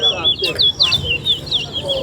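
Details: Chestnut-bellied seed finch (towa towa) singing in a competition race at Alligator Park; a continuous run of clear, sweet whistled notes with quick slurred rises and falls, steady and unbroken for the whole stretch, low background murmur.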